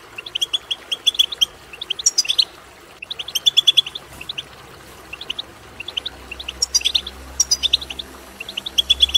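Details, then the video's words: A European goldfinch sings fast, liquid twittering phrases of tinkling, buzzy notes in bursts every second or two, high-pitched and bright. The recording is meant to stimulate goldfinches to sing. "بتبتة ماهرة في تحفيز الحسون على التغريد"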